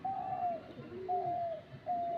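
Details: Captive dove placed in a tree to lure others of its kind: three long, clear notes that fall slightly at the end, evenly spaced, with a fainter lower note between the first two.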